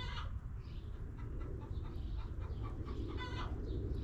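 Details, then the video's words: Backyard hens clucking in a coop: soft, short harmonic clucks scattered through the clip, with a slightly louder cluck near the end, over constant low rumbling background noise. "Rooster Crowing! Hens Clucking!"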